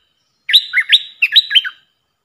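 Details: Training call of a puff-throated bulbul used as a decoy for young birds: one cheerful, rollicking phrase of upward-flicking whistles alternating with lower dipping notes, clear and unaccompanied.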